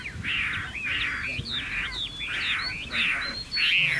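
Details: Chinese hwamei song: loud, rough, broad phrases with whistled slurs running through them, in uneven bursts under a hissy background.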